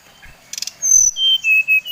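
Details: Short lure phrase of a Bali brown-chested jungle flycatcher: clicks, then a long high whistle followed by lower steady whistles stepping down.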